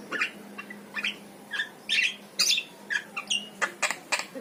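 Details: A yellow-eyed Javan myna sings varied short phrases: chirps, rising whistled slurs and scratchy notes about two a second, with a steady faint low hum; intended to set pet mynas singing.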